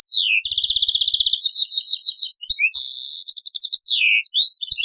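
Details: A European goldfinch's taqsrayn song style, preserved on an old cassette: a falling slurred note, long even runs of high twittering, a harsh buzzy trill and a swooping descending call.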